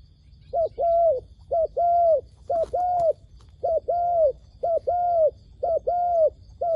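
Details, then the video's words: Wild dove call used as a lure for trapping doves: steady two-part coos, a short low note followed by a longer, slightly falling one, about eight phrases in seven seconds over a quiet low hum. "ឱ្យតែជួបលលកព្រៃ ធ្នាក់ហៅបរសឹងដាច់ខ្យល់ | Amazing Dove Trap"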